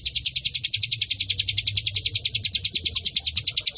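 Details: Bar-winged prinia, locally ciblek gunung, recorded as a lure for training birds: a brisk, even series of sharp, high chipping notes at about nine per second, with faint low background noise.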